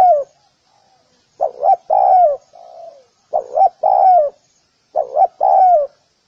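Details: A spotted dove gives three full coo phrases, in a recording made to train doves. Each opens with two short hollow hoots and ends in a longer, gently falling coo, with a quieter trailing note after the first.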